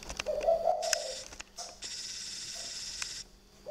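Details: Spotted dove cooing at night at a bird garden in Ba Vì, Hanoi, northern Vietnam: one low, husky cooing phrase early on, then a steady high hiss with a few sharp clicks.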